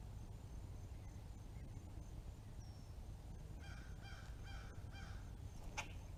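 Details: Fledgling red-bellied woodpecker uttering a short run of quick nasal, harmonic-rich notes, quiet against a heavy low-frequency roar, followed by a brief sharp snap.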